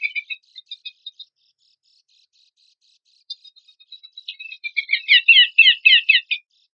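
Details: Horsfield's babbler song used as a lure and training material for competition songbirds: sparse high chirps, then a fast, dense run of buzzy, rattling high notes swelling loudly toward the end.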